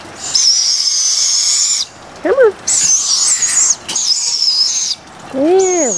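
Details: Barred owl owlets being hand-fed outdoors: harsh hissing screeches about a second long, repeated several times, with a person's coaxing voice heard between the calls.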